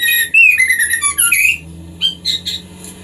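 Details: White-rumped shama singing, a sound played so captive breeding birds mate and produce sooner: loud, clear, ringing whistled phrases with sharp upward and downward slides, then a few quieter notes over a low hum.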